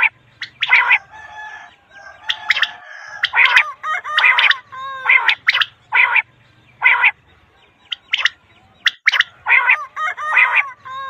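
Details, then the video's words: A quail gives short, harsh, harmonic call notes in quick bursts, roughly one every second, some doubled, with a faint low hum behind. "batair calling voice"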